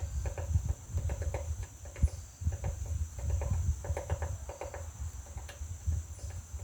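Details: A woodpecker hammers at a butterfly house, giving uneven runs of sharp, knocking taps with short pauses between bursts. A low rumble and a constant thin whine run underneath.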